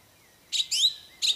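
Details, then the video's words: Short isian song fragment from a wild orange-banded thrush: three bright buzzy chirps, the middle one a longer rising whistle, in a quiet setting. "Anis Cendana Kicau Isian Liar"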